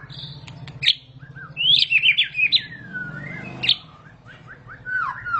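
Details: White-rumped shama singing a jumbled series of high whistles, sharp clicks and falling slurs, with a brief descending whistle midway, over a low background hum. The song is said to prompt shamas to sing straight away (ngentrok).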